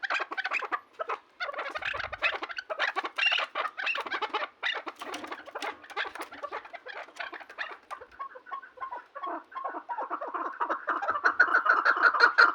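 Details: Chukar partridge in a long stream of fast, rhythmic chuck notes, irregular at first and then building into a louder, denser run near the end.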